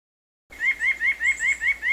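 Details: A White-breasted Nuthatch, a common feeder bird in Pennsylvania, gives a quick run of nasal, slightly rising notes, about six per second, with no other sounds.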